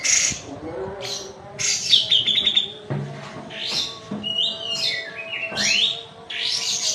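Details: A lively kapas tembak white-eye from Medan in rapid rolling song. It pours out strings of bright high chirps, buzzy trills and upward-sweeping notes almost without pause, over a low steady hum.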